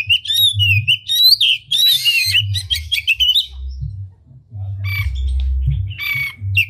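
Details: Singing oriental magpie-robin with tail spread, a unique bait song meant to excite other magpie-robins into song: rapid sweeping whistles and buzzy trills, a brief pause, then scratchy notes and a clear whistle, with a low background drone.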